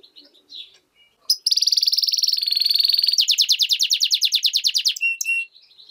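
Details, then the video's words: European goldfinch × canary hybrid singing: a high, bright phrase of buzzy, tinkling notes that runs into a fast, even trill of rapidly repeated chirps, then a brief twitter, with softer calls before and after. "mixto de jilguero - hybrid (European goldfinch vs canary) هجين الحسون"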